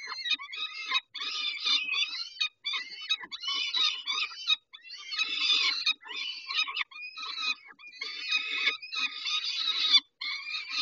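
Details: Peregrine falcons calling during a feeding on 19 May 2021 at 11:48: continuous rasping, wailing screams in dense bursts, each about a second long, separated by brief silences, with faint rustling below.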